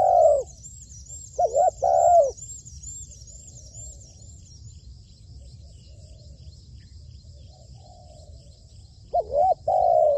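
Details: A spotted dove used as a decoy bird gives soft, mellow cooing phrases in short bursts at the start and again near the end, over a thin, steady high insect trill.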